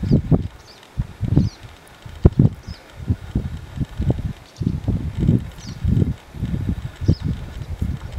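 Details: A displaying male sooty grouse at Hemlock Ski Resort on 9 June 2014, which called in a clucking rival and fought it, gives deep, muffled low hoots and thumps about one per second, with faint high chirps of another bird behind.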